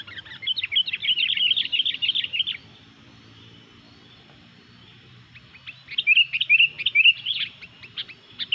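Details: Chatty Sooty-headed bulbul song meant to provoke rival bulbuls: a long run of rapid warbled chirps, a quiet gap of almost three seconds, then another fast, rolling string of bright notes.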